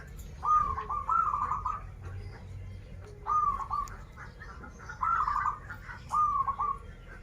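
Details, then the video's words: Local perkutut, a zebra dove, in krital and warung kebek song styles, repeating rolling cooed phrases of a brief lead note and quavering trill, spaced a second or two apart, with steady low hum behind. "Perkutut lokal gacoran suara krital, warung kebek, dan suara aneh"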